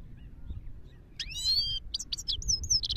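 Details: Himalayan goldfinch in Parachinar giving a short song: a rising slurred whistle followed by quick, clipped high twitters, against a quiet low hum.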